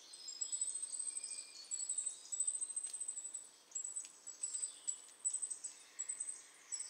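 A Goldcrest sings very high, thin, rapid notes in quick repeated phrases, with faint calls from other birds in the background.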